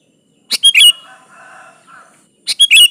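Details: Chatty Sooty-headed bulbul song used as a lure for a rival: a brisk phrase of clicking chirps and a rising slur, then a soft lower warble, then the chirping phrase starts again.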